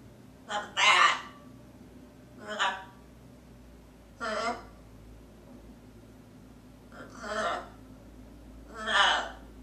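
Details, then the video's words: Pet female blue-and-gold macaw talking to herself, giving six short, harsh, voice-like bursts spaced roughly one to two seconds apart over a low steady hum. "Kopi-Blue & Gold Macaw"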